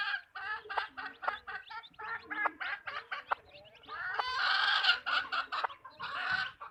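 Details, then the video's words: Hens in a backyard chicken farm clucking steadily, rapid stacked clucks about four per second, rising into a louder drawn-out squawk near the end. "chickens clucking | hens clucking"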